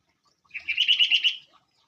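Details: Sooty-headed bulbul giving a short, rapid burst of about eight chattering, bubbly notes. The notes are run together evenly over less than a second, with no other clear sounds.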